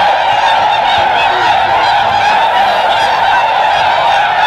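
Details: A huge flock of tundra swans at Aylmer Wildlife Management Area, Ontario, Canada, on March 18, 2017, spooked by a deer and taking off, gives a dense, unbroken chorus of high, mellow, honking whoops. Finding: Tundra swan.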